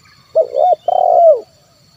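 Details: Low, mellow spotted dove coo of the 'kuk 1' type used to lure wild birds: a stuttered hoot rising into a held note, then a longer purring note that slides down and fades.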